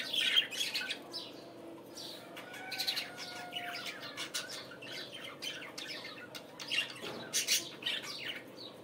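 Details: Budgerigars in the morning giving a lively string of short chirps, clicks and squeaky whistles, closely spaced, over a steady background hum.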